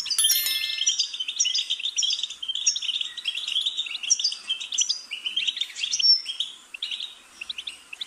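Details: Goldfinch singing a fast, tinkling twitter of short high notes and buzzy trills, with bright whistled accents near the top, running without pause for the whole stretch.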